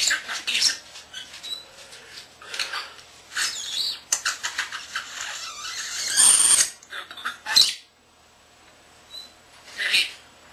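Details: Pet male starling, less than a year old, imitating human words, beeps and other household birds: a stream of high, breathy, speech-like syllables and scratchy notes, with a loud rasping burst near six seconds before quieter trailing phrases.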